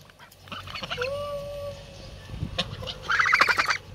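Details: Two playful geese pecking at the camera and trying to eat clothes. A drawn-out, level tonal note is followed by a burst of rapid, harsh, nasal honking chatter over handling noise.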